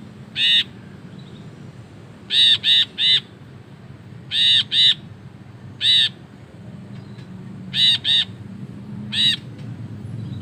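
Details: Ashy bulbul singing in a long chattering ngekek style: bursts of harsh, nasal, harmonic notes, single or in quick runs of two to three, spaced irregularly over a low background hum.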